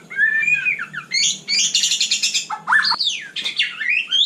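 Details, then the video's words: White-rumped shama in a lively night song, described as a very vigorous singer: loud varied phrases mixing rising whistles with rapid buzzy, rattling bursts and sweeping high slurs, delivered almost without pause. "Kicau malam murai batu super GACOR"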